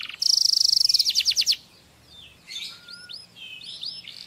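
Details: Canary song played for teaching another bird: a loud, fast trill of sharp repeated notes lasting over a second, then fainter, airy upward and downward whistled sweeps.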